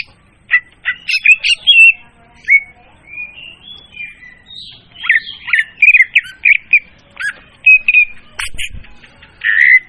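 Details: Leafbird lure sound, clear and loud, used to attract birds: a lively run of varied whistled and chattering notes, some rising, some falling, delivered in quick bursts with short pauses and no other sounds.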